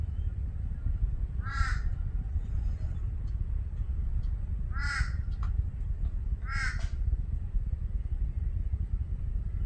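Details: Torresian crow giving three harsh, nasal caws spaced a few seconds apart, each short and slightly drawn-out, over a steady low rumble of wind.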